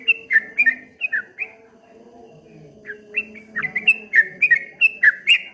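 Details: Streak-eared bulbul, known locally as trucuk kebo, sings ropel ngombak banyu: a burst of quick dipping whistles, a second of near silence, then a faster rippling run of bright notes.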